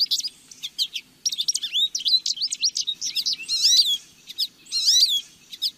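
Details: Song of a lesser goldfinch: a dense stream of high, quick twittering chips, broken twice by drawn-out, descending buzzy wavering notes.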